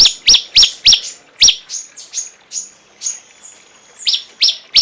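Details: Cungkok bird singing a fast run of sharp, high chirps, about three or four a second. Each note slurs downward and is trailed by a thin whistled tone. Clean, quiet background.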